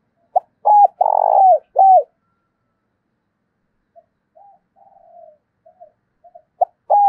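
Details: Decoy spotted dove, thổ đồng voice style, calling to incite fighting: a loud low phrase of arched coos and a long buzzy coo, then soft scattered coos before another phrase begins.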